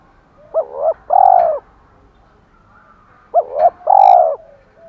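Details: Spotted dove used as a decoy, 'thổ pha' voice, giving its fighting and calling coo twice: a quick two-part rising note leading into a long, steady, throaty purr, separated by a pause.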